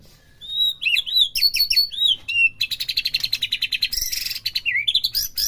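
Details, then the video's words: Song of a white-rumped shama meant to rouse a caged bird to sing: clear looping whistles, then a long rapid rattling trill, a burst of harsh high notes, and closing upslurred whistles. "PERANGSANG EMOSI MURAI BATU AGAR CEPET IKUT BONGKAR"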